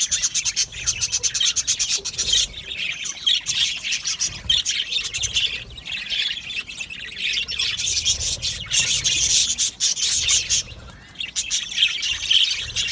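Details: Budgerigar colony kept in an aviary, a continuous chorus of high chattering chirps, warbles and clicks from many birds, steady and busy throughout with no pauses.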